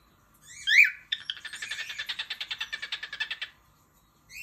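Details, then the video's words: Singing pet cockatiel gives a bright whistled note, then a fast, even trill of about twenty buzzy pulses lasting over two seconds. Another whistle starts at the very end. "COCKATIEL SOUNDS"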